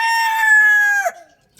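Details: Rooster crowing: one long, loud, steady cry held for about a second on a strong, rich tone, then dropping sharply at the end. The crow is followed by quiet.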